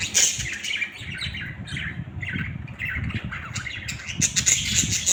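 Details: Budgies squawking and chattering continuously, with quick scratchy notes and a few high thin whistles, steady low rumble underneath.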